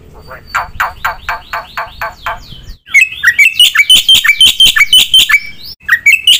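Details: Black-winged myna in rich mimicry song: a series of harsh falling notes, an abrupt break, then a loud fast run of bright metallic chirps and whistles.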